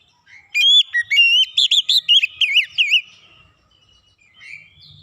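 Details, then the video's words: Oriental magpie-robin song, said to set other magpie-robins singing: a fast run of loud, clear whistled notes, some rising, others wavering in quick bends, packed into about two and a half seconds, then a soft, brief trailing note. "kicauan Kacer | Kacer lain sekali dengar ikutan gacor"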